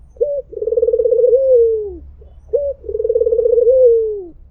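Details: Two identical mpuk jeruuu phrases from a white Barbary dove, each a short high hooked note followed by a long pulsed, rolling coo that glides smoothly downward at the end.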